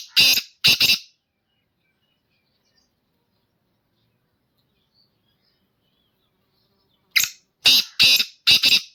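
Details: Black francolin (kala teetar) kept in a cage (chakri wala), called a 'speeder' singer, giving two rasping broadband notes, then about six seconds of silence, then four rapid harsh grating notes in a quick, uneven run.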